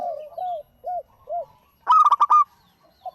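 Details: Local zebra dove calling: four soft, separate arched coos, then a short burst of rapid, harsh stuttered notes and one faint final coo.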